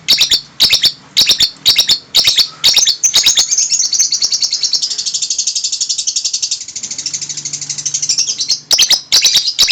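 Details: Lovebird making strange sounds: bursts of sharp, high chirps, then a long, fast, buzzy chattering trill lasting about five seconds, followed by more quick chirps.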